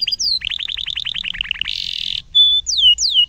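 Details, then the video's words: Singing canary used as a master recording to teach young canaries: high chirps, a rapid series of sweeping notes, a buzzy trill, then clear whistled downslurs, all high-pitched and lively. "kenari gacor panjang cuit cuit ngerol lanjut nembak"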